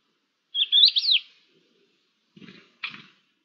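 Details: Thekla's lark recorded 5 February 2022 gives one brief, sweet warbled phrase of quick rising and falling whistles, followed by two soft dull knocks nearby.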